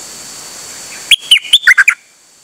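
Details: Brief burst from a nok dok taeng, recorded 8 September 2023 and described as singing without pause: six sharp whistled notes in about a second, high notes giving way to lower downslurred ones, then quiet. Steady background hiss.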